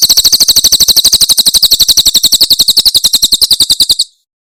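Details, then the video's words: Loud 'tembakan' Cililin song of a Javan prinia intended as tutoring for songbirds: a continuous, rapid train of bright, high chirps at a steady pace, ending sharply into silence. "Masteran Tembakan Cililin SUARA SUPER JERNIH"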